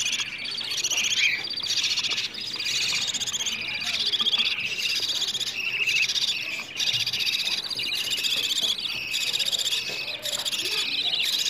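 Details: Budgerigar chicks calling for food, sound intended to trigger mating and egg laying in budgies: a busy, high chorus of rough, chattering buzzes, continuous throughout with small dips in loudness.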